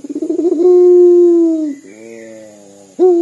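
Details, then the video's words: Puter dove of a local strain, described as a strong caller whose voice resembles weeping: a quavering, pulsed opening that swells into a sustained, even coo. A quieter, lower prolonged tone follows before a new coo bursts in. A thin constant whine is heard in the background. "PUTER LOKAL GACOR DOR SUARA SEPERTI MENANGIS"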